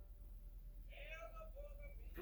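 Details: A pet African grey parrot with a broad mimicked vocabulary gives one drawn-out, wavering, meow-like call lasting about a second, over a steady low hum.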